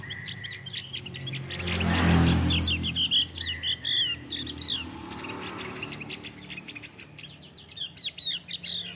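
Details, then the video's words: Male Javan grey-throated white-eye singing as tutor material; busy run of quick, high, twittering and slurred notes, partly covered by a brief loud rushing noise and low hum. "Terapi kicau opior Jawa Jantan"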